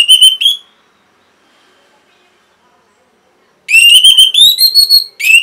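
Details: Orange-headed thrush song used to train caged birds and restart stalled singing. A whistled phrase opens, then three seconds of silence, then a busy stretch of loud, rising and wavering whistles.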